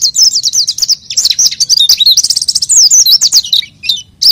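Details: Oriental white-eye singing nonstop, gacor style, as a lure for unschooled birds: dense, high-pitched warbling twitters with rapid zigzag notes, fading briefly near the end.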